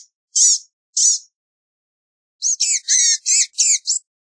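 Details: Blue-gray gnatcatcher giving two separate high, thin, slurred notes, then after a pause a quick run of six buzzy, wheezy chirps; a quiet setting with no other sounds.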